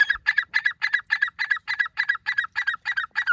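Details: Grey francolin calling, a recording used for hunting: a rapid, regular series of harsh, ringing double-noted phrases, about three or four each second, repeated throughout with no other clear sounds.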